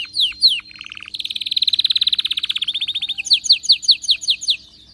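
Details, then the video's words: Excited canary song mixing falling sweeps, a buzzy low rattle, a long rapid trill of clipped notes, then a run of sharp descending chirps. "غناء كناري هايج ومولللعCanario -canary"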